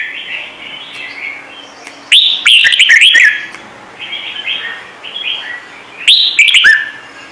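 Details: Red-whiskered bulbul of "Trung Mang" singing style delivering two loud clear whistled phrases with quick tumbling notes, separated by several seconds of softer, lower warbling.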